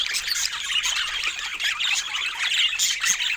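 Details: Dense budgerigar twittering, scratchy and high-pitched, with quick whistled squeaks popping out of the continuous chatter.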